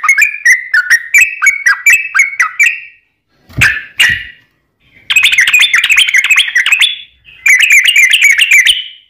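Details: Yellow-vented bulbul giving its lively fighting song to lure other bulbuls into answering: a bouncing phrase of slurred whistles, two harsh loud notes, then dense chattering bursts.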